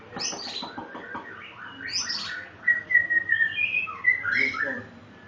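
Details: White-rumped shama, or murai batu, singing: varied whistled phrases, some sliding, some clear level notes, with several shorter chattering bits, over a noisy background.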